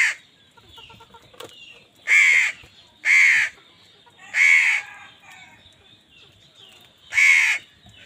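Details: Crows fighting wild birds for food call five times, harsh nasal caws spaced about a second or more apart, with light chirping from other birds in the background.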